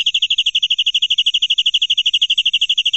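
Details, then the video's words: Canary in 'nembak' tutor song: an unbroken, machine-even trill of short, clear high notes, about eleven per second, with soft low background rumble. "Suara Kenari durasi panjang"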